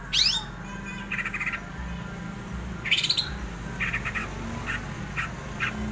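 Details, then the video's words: Cucak ijo, the greater green leafbird, in 'ngerol' song: two sharp rising whistled sweeps and several softer chattering bursts spaced a second or so apart, over a low background hum. "cucak ijo ngerol ngamuk jooss!!!"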